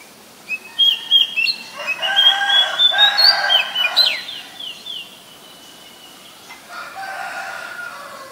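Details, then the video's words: A very common resident Oriental magpie-robin, Ubon Ratchathani, Thailand, January 2021, Nikon P1000: loud short whistles and chips run together into a varied phrase ending in a downward slur, followed by quieter low harmonic calls. "นกกางเขนบ้าน (Oriental Magpie Robin)"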